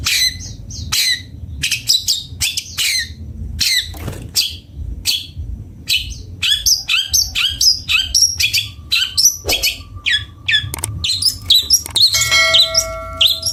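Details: Long-tailed shrike, bondol type, in melodious song: a long, busy stream of high chirps, buzzy rattles and sharp notes delivered in quick succession, ending with a few brief clear tones.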